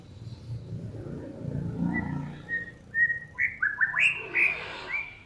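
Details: Master-recording song for teaching cage birds, a mix of Samyong, Kancilan Flores and Garugiwa. Soft level whistles repeat over a low rumbling background, then quicken into bright, rising and falling slurred notes.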